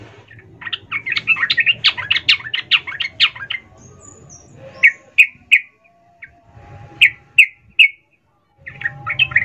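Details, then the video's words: Female sooty-headed bulbul calling for the male: a rapid string of sharp chirps, then spaced single and paired notes, and a fresh burst at the end. "Trucuk BETINA memanggil jantan Ful Ngecuplik EMOSI"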